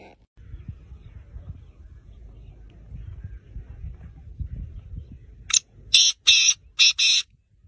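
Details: Call of a black francolin aged six months: low rumbling background, then a sudden harsh five-note phrase, one short note followed by four strident, buzzy bursts.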